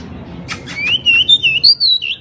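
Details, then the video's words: Pied bushchat in lively song: a few sharp clicks, then a run of clear, high whistled notes that waver and slide upward, ending in a slurred falling whistle; faint low background hum. "Burung decu gacor"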